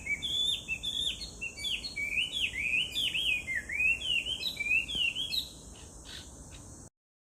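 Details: Loud song of a Chinese hwamei, footage dated 18 July 2019: continuous run of rich, looping whistles, many notes swooping downward then up, about six seconds of fluent melody before abruptly cutting off, insects buzzing steadily.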